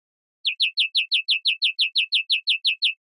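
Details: European greenfinch giving a regular string of about fifteen sharp chirps that slur downward, paced at around six per second, against silence.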